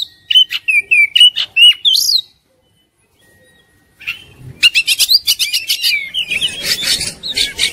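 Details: Oriental magpie-robin in fighting mood with open tail: a string of sharp repeated whistles and chips, a pause of near silence, then quick rattling notes and a rising whistle run into a dense harsh chatter.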